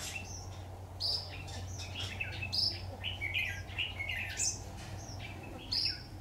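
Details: Red-whiskered bulbul singing as a decoy at a trap, recorded 26 October 2019; short bright whistled and warbled phrases, some rising to high clear notes, repeated in bursts about every second over a steady low hum.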